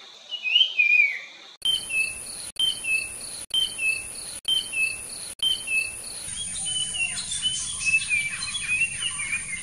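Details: Puff-throated babbler (Pellorneum ruficeps) singing short, clear whistled phrases that repeat roughly once a second over a steady insect hum.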